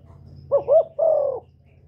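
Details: Spotted dove giving a single cooing phrase: two quick looping notes followed by one longer, level hooted coo, set against a soft low hum.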